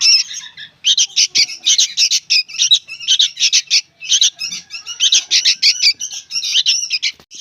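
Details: Noisy young sooty-headed bulbuls calling: dense runs of harsh, buzzy, scratchy squawks packed together, a brief pause near the start, then almost continuous rapid chatter to the end.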